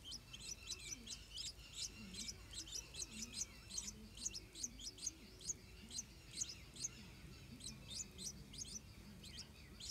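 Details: Stripe-throated bulbul parents guarding a nest of hungry hatchlings: steady stream of sharp, high-pitched chirps, roughly two per second, each a quick downward flick, over soft low background noise.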